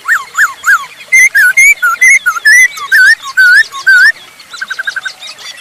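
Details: Masked laughingthrush in full song, used as a lure to set other birds singing: clear whistled notes that rise and fall, repeated about twice a second, then a fainter quick chattering run at the end.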